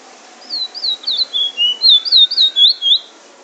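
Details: Bullfinch in Trinidad singing the drawl and wheet drawl style, a steady string of about a dozen high downslurred whistles, some doubled, delivered at an even quick pace, with a faint low tone underneath.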